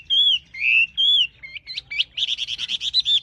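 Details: Wambi delivers three clear, drawn-out whistles, then shifts into short hooked notes and a rapid, evenly spaced chatter of bright chirps.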